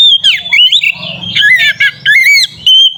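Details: Oriental magpie-robin in fighting-style song meant to provoke rival birds: loud, varied whistled phrases with sharp up-and-down slurs, harsh squawky notes and fast warbles, ending on a clear steady high whistle.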